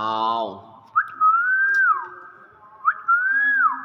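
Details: Common hill myna giving two matching whistled phrases about two seconds apart, each a sharp upward flick then a gently arched tone that dips at the end, after a brief low voiced sound at the start.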